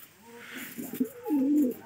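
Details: A male domestic pigeon, described as very angry, gives a loud, deep, throaty coo that swells and then drops away, indoors in a loft at morning feeding time.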